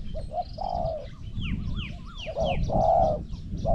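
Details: Zebra dove calling during a Thai decoy trapping contest with scored calls. Repeated low, drawn-out hooting coos alternate with a wavering higher chirping bird and falling whistles, over steady low background noise.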